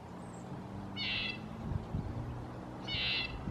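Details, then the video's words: Red-breasted nuthatch uttering two brief, nasal, buzzy notes two seconds apart against a quiet background with low hum. "Red breasted nuthatch"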